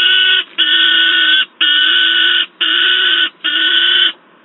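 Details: Harsh, drawn-out screaming from a noisy young peregrine falcon at Wałbrzych, Poland, 10 August 2022, near an adult: five grating cries repeated roughly once a second, then quiet.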